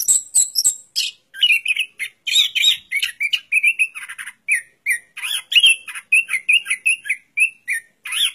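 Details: Orange-headed thrush singing a busy, varied run of short squeaky and chattering phrases, mostly mid-high in pitch with sharp higher flourishes, packed closely together with only brief gaps; no other sounds.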